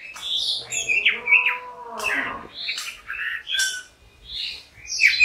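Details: Orange-headed thrush singing a varied phrase of slurred whistles and scratchy notes, high and sweet, with short pauses between bursts and a few low steady tones early on.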